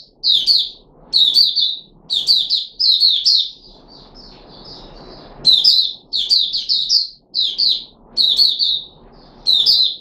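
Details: Kept Puteh Raja red-whiskered bulbul, dosed with fruit juice, one mealworm and a supplement, 13 April 2021: lively chains of warbled, bubbling whistles, with a quieter stretch of soft notes midway, then renewed rapid phrases.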